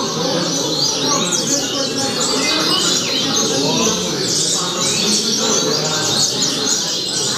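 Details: Rusty-collared seedeater (coleiro) singing the song style known as 'Altas Horas': a dense, continuous run of quick high whistled sweeps and buzzy trills, with lower chirps beneath and a steady background hiss.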